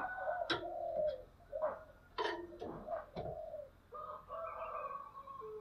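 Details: Decoy spotted dove of the 'thổ sấm' voice type, used to lure wild birds. Low droning coos are repeated through sharp clicking and tapping noises.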